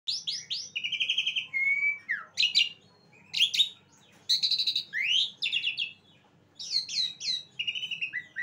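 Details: Asian pied starling (jalak suren) singing a rapid, varied run of loud whistled, chirping and buzzy notes, with sliding rising and falling phrases and short pauses between bursts; faint low hum underneath.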